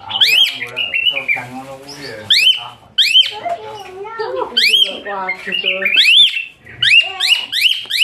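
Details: Asian pied starling song used as a training recording for other songbirds, described as harsh, high, shrill shots: loud rising whistles and sharp upswept notes mixed with lower chattering, harsh squawks and harmonic warbles, delivered in rapid varied bursts.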